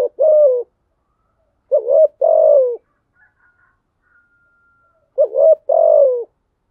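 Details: Spotted dove used as a lure bird to stimulate cooing: low, hollow coos around 500–700, grouped in short phrases of a brief note then a longer falling one, repeated after pauses, clean background.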